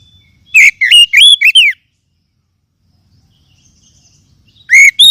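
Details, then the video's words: An Oriental magpie-robin gives a rapid phrase of sharp whistled upslurs and downslurs, falls silent apart from faint background sounds, then starts another loud whistled note at the end. "PEMULIH KACER MACET BUNYI JAMIN NYAUT DENGAR KICAUAN INI"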